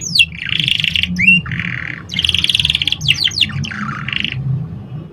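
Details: Canary singing as a training lure for young canaries and a remedy for stressed or silent birds: varied buzzy rolls, sharp rising and falling whistles, and rapid sweeping notes, with low hum beneath.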